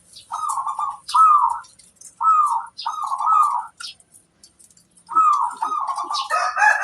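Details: Local zebra dove singing to lure other doves into replying: a series of short warbling coo phrases separated by brief gaps, with high chirps in the background and a rougher overlapping sound toward the end.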